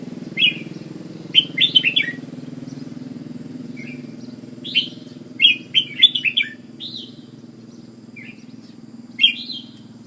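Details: Red-whiskered bulbul, Ubon, singing in bursts of brief warbled notes, clusters of three to five separated by pauses, with a constant low background hum.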